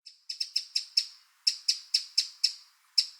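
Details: Eurasian wren recorded in the wild: hard, high ticking notes delivered about four per second, a short pause after the first note and again near the end, with no other clear sounds.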